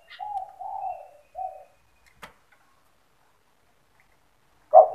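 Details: Spotted dove, a lively singer with a fast stuttering delivery said to provoke other doves into calling, gives a short husky coo phrase followed by a brief note, then silence before another phrase begins at the end.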